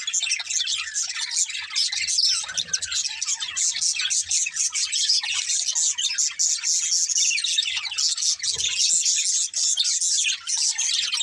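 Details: Budgerigars, called happy parakeets singing and playing, produce a steady wall of shrill overlapping chirps and buzzy warbles with no breaks, a few soft low knocks underneath.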